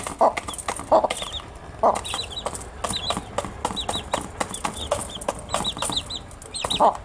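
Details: Cute newly hatched chicks busy during their day, producing rapid strings of high, hooked chirps in small clusters, punctuated by sharp pecking clicks and brief louder bumps.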